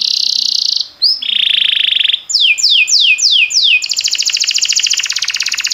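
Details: Training song of a timbrado canary: a sustained high buzzy trill, a lower steady rolling tour, then five quick falling sweeps leading into a fast pulsed trill.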